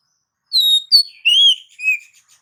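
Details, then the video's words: Provocative oriental magpie-robin song meant to anger rival males: four clean whistled notes, a high steady tone, a sharp upward note, a long arched whistle and a lower fading note, against total silence. "KACER MANAPUN BAKAL EMOSI DAN NGAMUK NGAMUK SETELAH MENDENGAR KICAU KACER INI"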